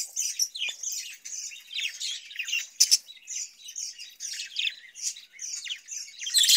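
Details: Caged budgerigars, kept for breeding, chatter in a dense, continuous stream of high, scratchy chirps and squeaky warbles. Short notes tumble over one another with no pause, loudest in brief squawky bursts.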